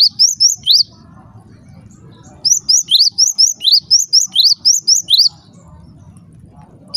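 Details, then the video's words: Java sparrow calling, a sound said to make other Java sparrows start calling at once; two bursts of sharp, high chirps with bright overtones, first four quick notes, then about twelve at roughly five per second, over a faint low rumble. "cukup DENGARKAN SUARA INI, gelatik lain LANGSUNG RIBUT"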